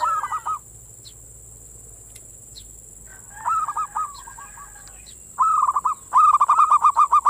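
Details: Zebra dove manggung song as a lure for local doves' breeding mood: short phrases of rapid rolling coos separated by pauses, building to a long loud run of repeated staccato notes at the end, against a constant high hiss.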